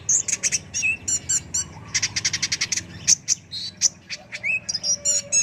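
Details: Energetic song of a brown-throated sunbird (kolibri ninja) used to train birds: bursts of high chirps, short rapid trills and a few downslurred whistles in quick succession.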